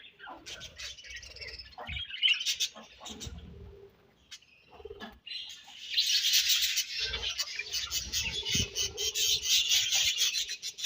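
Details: A colony of budgies, uneven chirps and clicks at first, then from the middle a continuous, bright, buzzy wall of chatter from many birds together.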